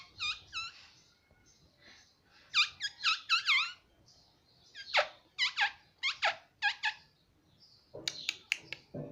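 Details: Pet Alexandrine parakeet (pahadi parrot) uttering sharp, squeaky chirps in quick clusters of two to four, with brief quiet gaps between bursts, recorded in a small room.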